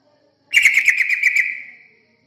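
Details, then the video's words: Yellow-vented bulbul song used as a lure to attract other birds: a single rich bubbly phrase of quick warbled notes, about one second long, trailing off smoothly at the end. "Pancingan burung terucukan"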